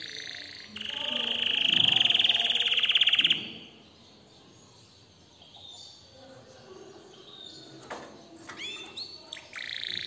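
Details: Singing canary gives a loud, buzzy rolling trill lasting nearly three seconds, then a quiet gap. Soft scattered chirps and a few short upswept whistles follow near the end, over low background noise.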